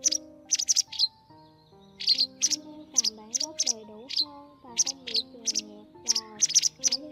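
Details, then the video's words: Lure recording of white wagtail calls for netting migrating birds, 2020 season: clusters of bright, high, clipped chirps, often in pairs, with short pauses between groups, above faint sustained and gliding low tones like background music. "Tiếng Chìa Vôi Trắng"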